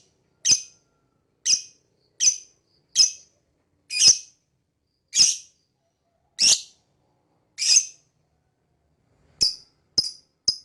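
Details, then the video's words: Lovebird chirping against a silent background: eleven sharp, shrill, high chirps. The first eight come about a second apart, and the last three come quicker and shorter. "Lovebird Singing & Chirping Sound"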